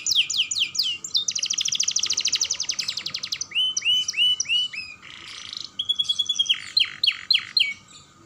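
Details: Young canary song meant to set other canaries singing: varied phrases of sharp descending notes, a long fast buzzy rattle, rounded whistled slurs, then a held tone and quick downward strokes.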